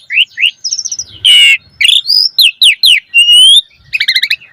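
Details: Asian pied starling song used as a lure to train caged birds: varied loud whistles, rising slurred notes, harsh buzzy bursts and rapid trilled chatter, changing phrase every half second, no other sounds.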